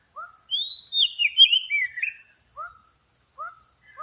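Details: Oriental magpie-robin lure song: a loud, varied whistled phrase with rising and falling slurs, followed by short upslurred notes repeated about every second against a quiet background.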